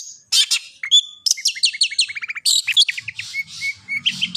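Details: Varied long-tailed shrike master song to get other shrikes singing: a pure whistled note, a quick descending series of clear chips, then harsher buzzy phrases and repeated short whistles, with a faint low rumble near the end.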